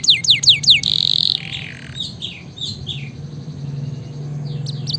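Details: Canary song for training and stimulating a reluctant singer: three loud falling sweeps and a buzzy held note, followed by softer slurred phrases, quiet gaps and faint high notes at the end.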